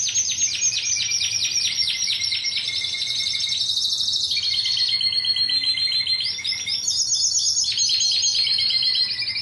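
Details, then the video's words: Timbrado canary, 2009 competition team bird, delivering a long run of rapid downward-swept strokes, then shifting rolling trills at several pitches, continuous and loud throughout. "Santa's Slay Timbrado 2009"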